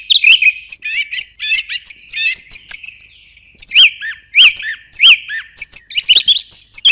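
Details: Song thrush in full song: varied clipped whistles and twittering notes come in quick bursts. Several ringing phrases repeat two or three times before the bird switches pattern. No background noise.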